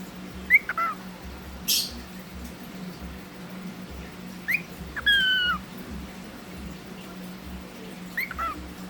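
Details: A talking pet cockatiel, Snuggles, playing peek-a-boo gives short whistled calls, some falling in pitch, spaced a few seconds apart.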